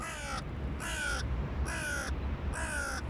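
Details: A noisy clan of hooded crows arriving gives four harsh, hoarse caws, each about half a second long and spaced under a second apart, over low background rumble.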